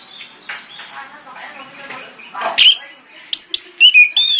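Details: Orange-headed thrush in the morning, a lure recording meant to make other thrushes reply. After faint background chatter, a burst of loud, clear, high whistled notes ends the passage, some rising, others dropping sharply.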